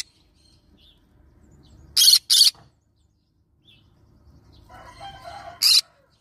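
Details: A double burst of rough, scratchy squawks from a yellow-sided green-cheeked conure, then a single screech later, over low rumbling and faint tonal chatter.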